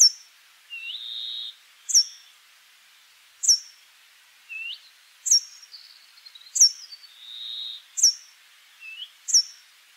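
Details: Brambling song: several drawn-out, rasping, wheezy buzzes, each opening with a short upward flick, spaced a few seconds apart among frequent sharp, high, clipped notes.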